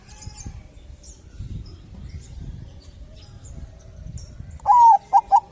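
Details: Zebra dove of the Bangkok type singing vigorously, used as a lure to prompt other doves to sing; after low rumbling background, a loud cooing phrase bursts in near the end: one longer rolling note then two short clipped coos, faint high chirps of other birds behind.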